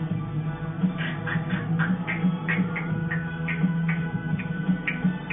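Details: Rhythmic music with a steady low beat and repeated bright accents, with no animal voice standing out.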